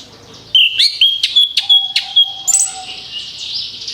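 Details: Orange-headed thrush (anis kembang) song used as a lure: clear whistled notes broken by quick sharp clicks, followed by a long, steady, thin high whistle.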